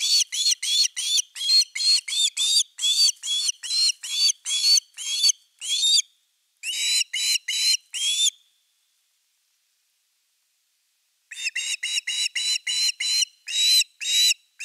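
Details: Nest camera #3 captures an osprey on 30 August 2021 during an evening fish: long volleys of rapid, upslurred whistled chirps, broken by one silence of about three seconds before calling resumes.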